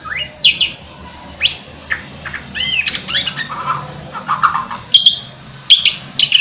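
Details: White-rumped shama in training to sing vigorously: varied whistles, sliding notes and sharp chirps in a lively, irregular stream, with a low background hum and some clicks.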